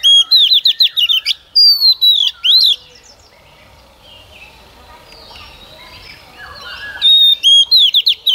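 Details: Lure female Oriental magpie-robin singing to excite male birds: quick repeated whistled upslurs, then longer sweeping whistles, quiet stretch with faint chirping in the background, and a final run of rapid bright whistled notes.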